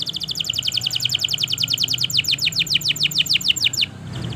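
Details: Canary singing a long, continuous trill used to prompt other canaries to sing: rapid, evenly repeated high notes, each slurring downward, running for nearly four seconds before stopping, over a low steady hum.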